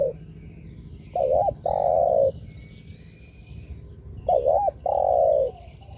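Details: Spotted dove coo used to provoke rival doves, two phrases about three seconds apart, each a quick wavering double note followed by a long sustained coo, with faint high chirping of other birds behind.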